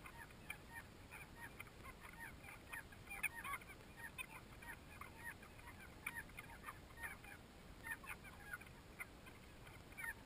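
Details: Banded stilts duelling at a nesting colony of over 20,000 pairs on Lake Torrens, South Australia, in 2011 after flooding rains: a dense chorus of short, yapping, puppy-like calls in rapid irregular bursts over steady background hiss.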